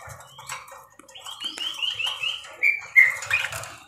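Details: Parakeet singing in a lively, chattering way: a run of quick warbled chirps rising and falling, then two sharper squeaky notes near the end, with faint low rumbling beneath.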